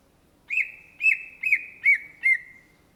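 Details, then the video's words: Cucak ijo, the greater green leafbird (Chloropsis sonnerati) of Indonesia, repeats five clear, slightly down-curving whistled notes roughly every half second. A long steady tone trails behind them and fades at the end. "SUARA BURUNG CUCAK IJO GACOR"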